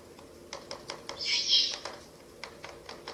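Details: Owl bill clapping at a nest in a ruin, night of 30 April to 1 May 2024, while owlets feed on a rabbit brought by a parent: sharp dry clicks in a loose series, with one soft hissing burst in the middle.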